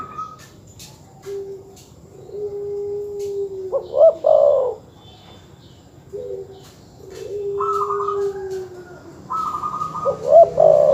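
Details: Cooing dove, terkukur or perkutut, used to provoke competing birds: two cycles of long low coos ending in loud emphatic notes, with higher trilled notes between them and at the end.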